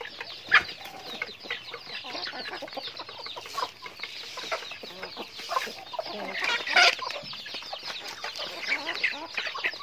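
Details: Many chickens during daily activity, calling together in a busy, continuous wash of quick high chirps and squeaky peeps, with a brief louder burst early on and another swell of calls toward the middle.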